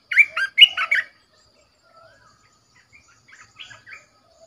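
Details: Red-whiskered bulbul kept as a caged decoy delivers a loud, rapid warbled phrase of jumbled notes, then trails off into scattered soft chirps.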